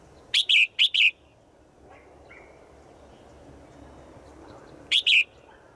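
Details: A female bird's daily call to a male in the forest. Three fast, sharp chirping notes, then a quieter stretch and a pair of similar notes about four seconds later.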